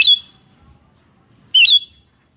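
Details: Sooty-headed bulbul (kutilang) in a lure recording of birds answering each other: two short, sharp whistled notes about one and a half seconds apart, each bright and slightly falling, with quiet background between.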